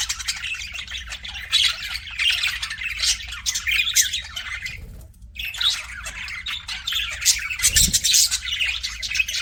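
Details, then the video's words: A flock of budgies chatters nonstop in an aviary with busy high chirps, trills and scratchy squawks layered together. There is a brief lull midway and a low thump near the end. "BUDGIES CHIRPING SOUND"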